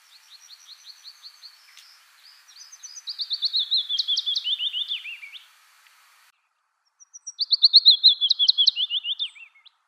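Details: Willow warbler in Finland: sweet, slurred high notes run together in a descending cascade. One fainter phrase, then a louder phrase of about three seconds, a short silent pause, and another similar falling phrase.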